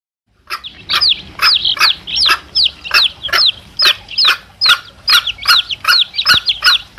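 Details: Chicks with their mother hen, recorded for luring wild male junglefowl: a dense run of high, falling peeps, about two or three a second, over a steady rhythm of short, lower clucks.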